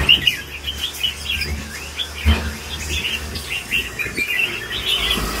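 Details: Red-whiskered bulbul, an older bird, delivering lân bổi song: a rapid chain of chirpy, rolling whistled notes that rise and dip, repeated about every two seconds over faint background hiss and a few dull knocks.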